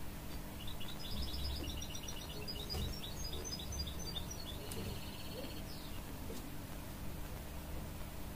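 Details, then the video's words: A hybrid goldfinch (canary-goldfinch cross) sings to encourage young chicks: a fast, high twittering run of chattering notes, then a brief buzzy trill, over a steady low hum. "A Hybrid Goldfinch Sings To Encourage Young Chicks"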